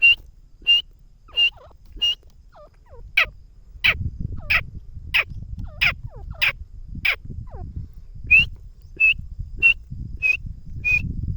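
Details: Grey francolin in a long calling bout: sharp, ringing notes repeated roughly every 0.65 seconds, some with faint descending tails. Phrases shift from clear whistled notes to harsher ones and back, over low background rumble.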